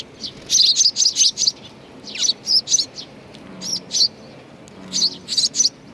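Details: Sparrows come to be fed at Tenmangu shrine, Nakanoshima, on 21 June 2020, calling in quick clusters of sharp, high tweets separated by short pauses.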